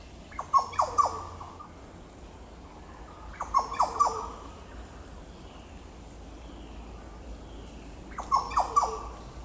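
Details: A Yellow Oriole in Goomboora Park, Cairns, Queensland, Australia, 9 September 2022, repeats a phrase of three or four liquid, downslurred whistles three times, roughly every three to four seconds.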